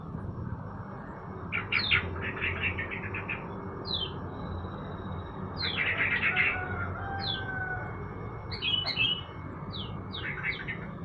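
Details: Caged yellow-vented bulbul sunned in the morning, singing scattered bursts of rapid, chattering notes, some clipped and descending, separated by brief pauses, with a steady low background rumble.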